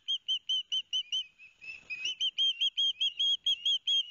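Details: Osprey young on a New Jersey nest at Barnegat Light, 13 September 2021, raising a din at a fish delivery from their father. Strings of piercing whistled chirps repeat quickly, briefly dipping into a lower, blurred stretch before resuming.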